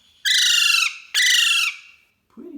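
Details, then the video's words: A young pet Alexandrine parakeet in juvenile colouring, being handled, gives two harsh, raspy squawks, each over half a second long and slightly falling, followed by a brief low sound. "Alexandrine, Juvenile"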